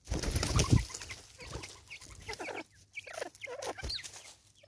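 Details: Natal spurfowl, South Africa, with its raucous call: a loud low rumbling thump opens, followed by scattered harsh descending cackles in quick uneven bursts.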